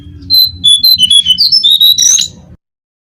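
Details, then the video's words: Whistled brown-cheeked fulvetta song played to attract birds: about a dozen fast, clear notes alternating higher and lower, rising to a rushed, slurred finish over a low rumbling background. "suara pancingan burung jongkangan (cingcoang coklat)"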